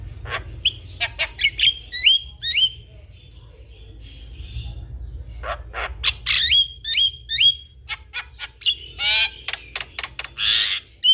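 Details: Javan myna singing energetically with head-bobbing, kept as a master bird for training young mynas: sharp clicks and harsh squawks mixed with bright rising whistled notes in quick bursts, a quiet pause midway, low hum beneath.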